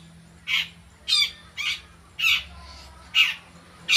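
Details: Long-tailed shrike practising its sounds: six loud, grating, rasping notes, each brief and noisy, repeated roughly every half second, with a quiet steady low hum behind.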